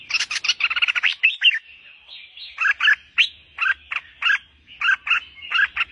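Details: Albino red-whiskered bulbul, hand-held, opens with a quick chattering burst, then sings bright, liquid warbled phrases repeated about twice a second.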